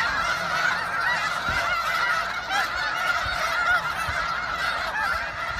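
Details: Snow geese massed on spring migration at George Reifel Bird Sanctuary, Westham Island, British Columbia, on 24 March 2015: a thick wall of nasal, barking honks from countless birds, steady and unbroken throughout.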